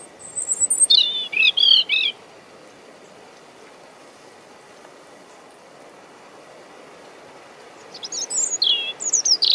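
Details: Close-range European robin song from Deal, Kent, UK, 17 April 2021: a brief high whistled burst with quick wavering notes, a long quiet pause with soft wind hiss, then another tumbling high phrase starting.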